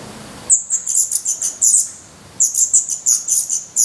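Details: Feathered Black Redstart nestlings, hungry and growing fast, beg in their nest in Portugal on 17 May 2020. Two bursts of loud, very high, rapid squeaky notes are separated by nearly a second of silence.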